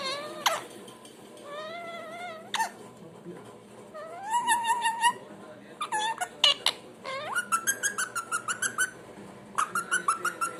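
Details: A pet parrot's assorted sounds: drawn-out rising whistles, a wavering mew-like note, sharp clicks, then a fast string of pulsed whistled notes repeated several times.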